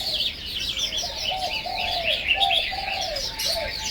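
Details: Melodious, rapid warbling from a Chinese hwamei, with bright rising and falling whistles layered over a gentle, repeated low cooing from another bird.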